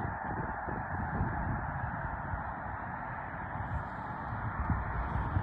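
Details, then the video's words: Snow geese rising together at Mobridge, South Dakota, in early March, a uniform mass of distant overlapping honks with steady low rumbling noise throughout. "Snow Geese lift off"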